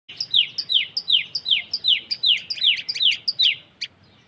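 Common tailorbird giving a loud, sharp series of rapid downslurred notes, about three per second, each a bright metallic 'tchee'; nothing else heard.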